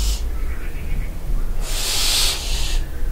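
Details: At night in a castle dovecote at Barbirey-sur-Ouche, barn owls give rasping breathy screeches: one ending at the start, then a long loud hissing screech about a second long, with constant low hum beneath.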